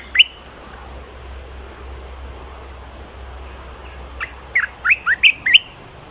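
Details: Red-whiskered bulbul kept in a cage, with its new song: after a lone sharp note and a long pause, a burst of five or six clear, looping whistles comes near the end.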